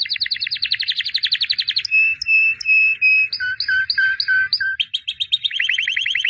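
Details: Champion white albino canary from 2017 singing in training: a fast trill gives way to clear steady whistled notes at two pitches, repeated evenly, before a rolling trill returns.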